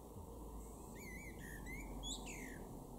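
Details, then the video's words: A male Common Blackbird (Turdus merula) in a garden in Weener, East Frisia, northwest Germany, in June 2022, sings a mellow, fluted warble of low whistled notes ending in a high, squeaky twitter, over a steady low rumble. "blackbird (male)"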